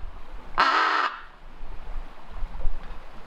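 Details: Fable, a chatty female raven recorded by hidden camera alone in her aviary, gives one loud, harsh, rasping call lasting about half a second, then falls quiet over a low background rumble.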